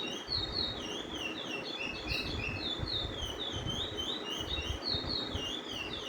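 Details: Chestnut-bellied (Lesser) Seed Finch sings the Brazilian curio roll, possibly called "paragrande": a long, repetitive roll of sweet whistled phrases in an unbroken chain, rising and falling, over steady hiss. Such rolls are used to test which bird sings longest.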